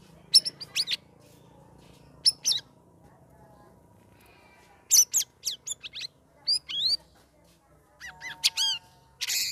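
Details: Sooty-headed bulbul kept in a cage, three weeks into group training with other birds, giving a chattering, loud song: scattered bursts of high chirps and slurred whistles separated by short silences, with faint background hum.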